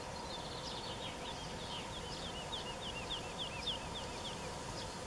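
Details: Woodlark singing on 21 June 2018 in Wendland, Germany: a rapid, flowing run of soft, liquid, slightly falling notes, with sparrows chirping and a steady background rumble of wind or distant traffic.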